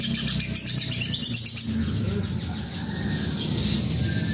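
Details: Greater green leafbird singing: a rapid, even trill of high, sharp notes, about ten per second, lasts over a second and a half. A steady, loud low hum and broadband noise follow.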